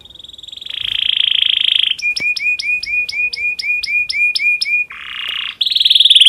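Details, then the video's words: Breeding-condition domestic canary song used to make other canaries sing: a rising buzzy roll, a quick series of clipped repeated notes, then more rolling buzzy trills. "PANCINGAN KENARI BIRAHI cocok untuk merangsang burung kenari supaya cepat bunyi"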